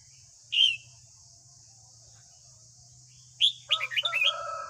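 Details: Red-whiskered bulbul singing at morning, played to train a young captive bird: a single loud whistled note, a pause, then a hurried phrase of mixed chirps, with low hum and high hiss throughout.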